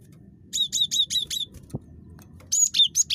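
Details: Super chatty cinereous tit (gelatik batu) recorded as a lure for other birds: five evenly repeated high two-part whistled notes, a brief pause, then several sharper high notes, with faint low background hum.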